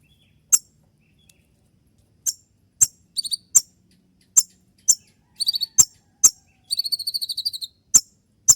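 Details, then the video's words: Konin trotol song of the sharp shot style favoured by contest judges, used as dawn training audio: scattered piercing high clicks building into quick clusters and a longer buzzy trill. "Masteran dan Terapi konin trotol dengan suara tembakan yang mudah"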